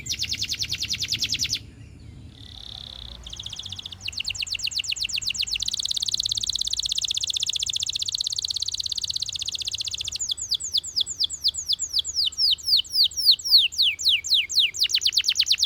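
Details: Russian canary singing: a fast buzzy trill, a brief pause, a sweet mid-pitched note, then long rapid rolling trills and a series of quick downward-sweeping whistles repeated several times a second.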